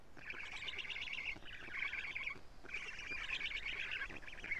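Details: Black storks at a camera-watched nest in Estonia, 14 June 2017 at 07:47, the female delivering plenty of lampreys to her young. Dense grating chatter in two sustained runs with a short break around 1.4 seconds and another near 2.5.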